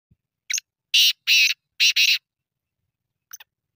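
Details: Black francolin giving one harsh, grating phrase of five rasping notes over about two seconds, the middle notes longest and paired, followed by a couple of faint scratchy notes; otherwise quiet background.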